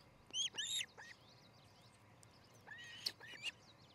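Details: Osprey at a nest cam in Charlo, Montana, on 13 July 2018, early morning: two bursts of sharp, high whistled chirps, the first a quick run of three notes, the second a scattered pair a few seconds later, over soft background hiss.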